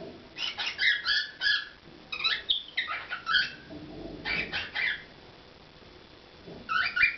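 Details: Pet cockatiel performing: bursts of bright chirps, squeaky whistles and short squawks in uneven phrases, with a lull of a second or two before a final rising whistle.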